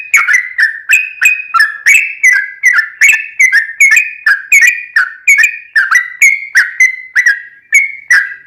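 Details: Trucukan in energetic song, used as a lure to prompt other bulbuls to reply: short liquid whistled phrases, each falling slightly, repeated at an even pace of about three per second for eight seconds.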